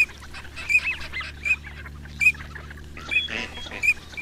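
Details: Wild Gadwall, used as a duck-hunting lure sound, giving short nasal calls, about five in four seconds at an uneven pace, over a steady low hum.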